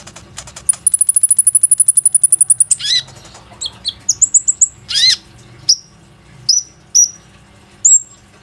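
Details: Plain-throated sunbird singing as a lure to get other sunbirds singing, phone-recorded: a fast, even string of about twenty high ticking notes, then harsh downslurred chips and single thin piercing whistles spaced about a second apart.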